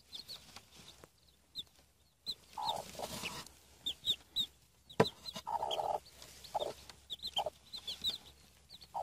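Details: Seven freshly hatched Denizli chicks, brought off by a hen in Rize, give scattered shrill peeps across the recording. Low clucks and some rustling handling noise fall between the peeps.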